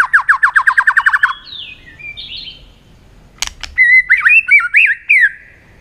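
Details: Competitive singing from a white-rumped shama using many voices: a fast run of about a dozen repeated descending notes, a quiet gap with faint whistles, a sharp click, then loud looping, warbled whistles.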